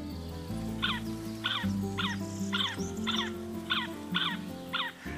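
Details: A great spotted cuckoo in springtime Spain at the foot of the Pyrenees, where it parasitises carrion crow nests, gives harsh rasping calls, about eight short grating bursts in five seconds, over steady orchestral music.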